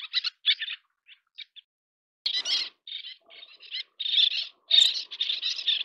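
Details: Little tern during chick feeding: clipped rasping high calls, a pause, then a louder run of harsh chattering notes with a brief noisy burst, thin squeaky notes underneath.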